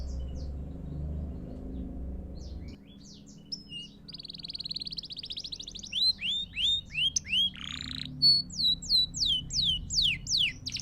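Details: Canary song for young birds learning to sing: after a low hum and near silence, a buzzy trill starts, then spaced falling whistles and sharp rising-falling notes repeated roughly twice a second.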